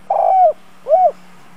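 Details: Spotted dove lure bird in the 'chiêu thúc bổi' style: two close, soft, hollow coos, the second rising and then falling, with a steady low hum behind.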